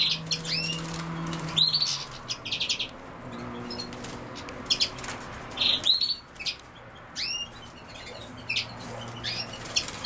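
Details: European goldfinch, named alongside common sow-thistle, gives scattered high twittering notes and quick upslurred chirps in irregular bursts over ten seconds, with a faint low hum in the background.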